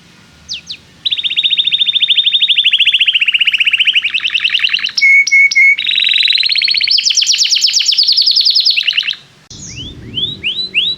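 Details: Canary in excited song, played as a learning aid for young canaries: a long, even, rattling trill with three clear whistled notes in the middle, a higher trill, then a few rising whistles.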